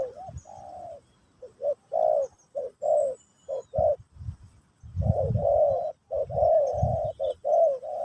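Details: Spotted dove song of the pesom or kacuk kind, sung in a teaching session for a new bird. A long series of rhythmic coos mixes short and sustained notes, with occasional low thuds.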